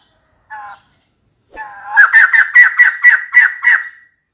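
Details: Female white-crested laughingthrush calling for a mate: a short nasal note, a pause, then a fast run of about eight harsh, chattering, laugh-like notes rising in pitch, each with a bright buzzy edge, ending in a drawn-out fading note.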